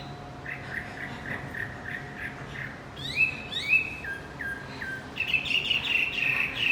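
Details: Lure song for a silent male Javan white-eye: soft, even chirps at first, then louder sharp slurred notes and a busy, twittering run toward the end.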